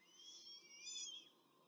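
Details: Rome peregrine falcon nest during a quick feeding, 21 April 2024; one shrill, quavering whine swells and then falls away at the end.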